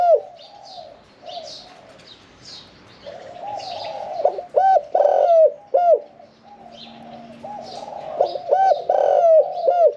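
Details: Medium-voiced caged spotted dove of the 'khan yon 1 kuk' style, its loud hooting coos rising from a background of softer cooing doves and frequent high chirps from other birds.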